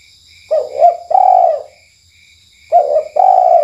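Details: Spotted dove of the KUK1 type calling at night as a lure: two low coo phrases, each a short lead note then a long mellow coo, with a pause between, set against continuous high insect hum and crickets.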